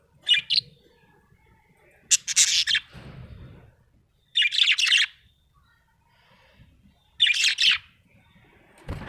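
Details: Happy budgerigar chirping in separate bursts every two to three seconds, each a cluster of high, scratchy, buzzy notes, with a soft rustle after the second burst and a thump at the end.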